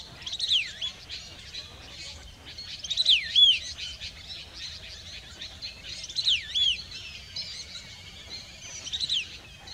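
A streaked laughingthrush repeats a short, clear, swooping whistled phrase about every three seconds over a quiet background.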